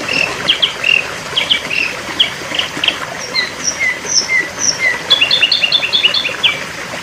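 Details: Sooty-headed bulbul song used as training material for songbirds: short whistled and chirping phrases around high pitch, some slurred downward notes, a burst of rapid repeated notes near the end, over a steady background hiss.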